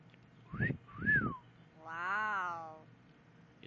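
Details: Pet yellow-naped amazon talking indoors: two short rising-falling voiced syllables, then a long, rich, tonal drawn-out note with many harmonics, sounding like mimicked speech.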